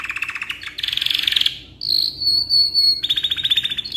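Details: Canary singing a long tutoring song: a dense, rapid rattling roll, a clear drawn-out whistle sliding slightly downward, then another quick even rolling trill.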